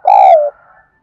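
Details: Spotted dove call used to urge wild doves to reply: a single loud, hollow coo note lasting about half a second and slurring slightly downward, followed by a faint trailing tail.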